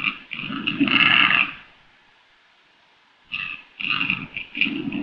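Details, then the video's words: Black grouse × capercaillie hybrid uttering a loud, hoarse gurgling croak lasting over a second, a silent pause, then a series of choppy rasping grunts. "Rackelwild call"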